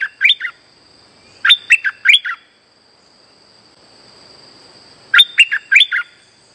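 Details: Streak-eared bulbul trapping lure: three bursts of bubbly, slurred four-to-five-note phrases, the last after a pause of almost three seconds, with a continuous high electronic tone throughout.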